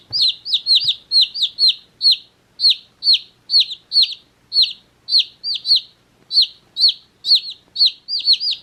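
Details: One-day-old chicks in a beach hat, chirping steadily: shrill high peeps, each falling in pitch, repeated about twice a second in quick runs, sometimes doubled, with little else heard.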